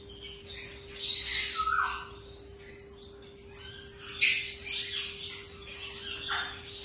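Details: One of a pair of yellow rose-ringed parakeets gives harsh, screechy squawks in two bursts, with a steady electrical hum underneath.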